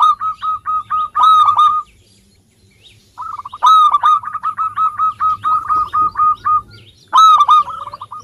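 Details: Zebra dove of a local type calling persistently as a lure to prompt other birds to sing: long rapid strings of short resonant coo notes broken by loud emphatic clusters, with a brief silent gap.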